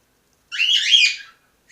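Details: A baby cockatiel gives one harsh, raspy, buzzy call lasting under a second; recorded 11 November 2013.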